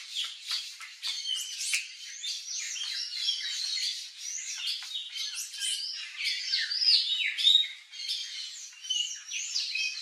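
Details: Wild turquoise-fronted amazons (Amazona aestiva) in natural Brazilian habitat chatter in harsh squawks mixed with shrill whistles, overlapping and irregular, as from several birds calling together.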